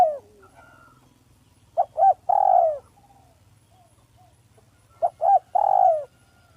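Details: Spotted dove, a village bird, giving a smooth, clear lure call: two phrases about three seconds apart, each two short low coos followed by a long, drawn-out coo that slides downward, over a faint low hum.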